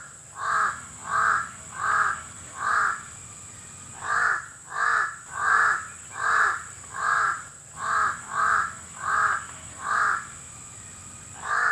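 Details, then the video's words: A long series of about fourteen hoarse crow caws: a run of four, a short pause, then a steady string of evenly spaced caws, all over a faint constant high-pitched hum. "Crow(Uwak) Calling Sound"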